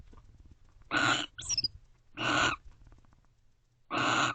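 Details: Barn owls Ava and Beau, a pair, in Owl Box C around 12:30 am on 30 November 2023, guarding the door together and sharing affection: three harsh, hissing screeches, each under half a second, about 1.5 seconds apart, with brief twittering chatter after the first.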